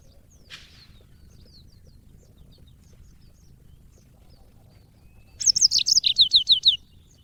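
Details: Caged yellow-fronted canary in training audio: scattered faint high chips for several seconds, then a loud burst of quick, repeated, downslurred whistles lasting just over a second.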